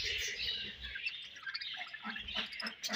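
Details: Budgerigar colony chirping, many birds overlapping in steady high chatter and warbles, with a few soft low knocks.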